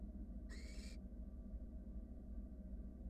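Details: Wild barn owl nestling in a nest box while a sibling swallows a rat: a single short, breathy rasping hiss, then only steady low hum.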